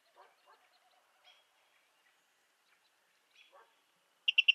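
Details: A Virginia rail (Rallus limicola) of eastern North American marshes gives a few faint, soft nasal notes, then ends with three loud, sharp, clipped notes in quick succession.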